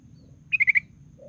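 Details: [5, 'Sooty-headed bulbul used as a lure to get other bulbuls singing: four quick, evenly spaced chirps in a tight burst, then a soft low tone, over light background rumble.']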